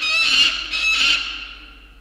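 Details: Peregrine falcons around a tower in the evening, 12 October 2022: two loud, harsh, grating call notes, the second fading away gradually.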